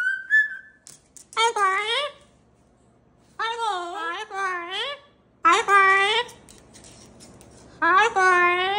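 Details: Pet cockatoo in a small room calling a greeting: four loud, rich, nasal, speech-like calls, each about half a second to a second long and spaced by pauses, after a brief opening whistle.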